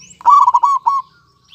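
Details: Local zebra dove, male and female pair, in song. One brief rolling phrase of several blended cooing notes fades into a soft trailing tone.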